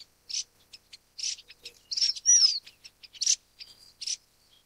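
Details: Golden parrotbill, Suthora verreauxi: brief run of very high buzzy bursts and tiny ticks with one clear downward whistle in the middle, close and clean.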